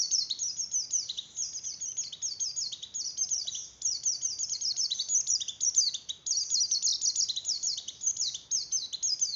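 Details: Javan grey-throated white-eye song for stimulating breeding condition in other white-eyes, an unbroken stream of fast, very high chattering twitters and downslurred trills lasting the whole stretch, with faint background hiss.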